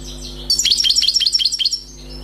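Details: European goldfinch, a freshly caught wild bird, delivers a short, rapid phrase of sharp, tinkling, chirping notes lasting about a second, with a quiet background hum.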